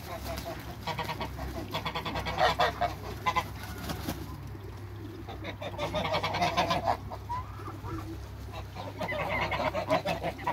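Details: Geese in a backyard flock of African and Toulouse geese with hybrids, giving repeated harsh honking calls in irregular bursts, several birds overlapping, over a steady low hum.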